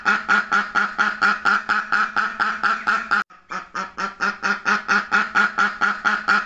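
A duck quacks in a fast, steady run, about two nasal quacks a second, with one brief pause midway.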